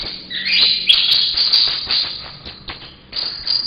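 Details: Young caged saffron finch, eight months old and now fully yellow, beginning to sing: bright chirps and short rising and falling notes with quick buzzy ticks, uneven phrasing, recorded close.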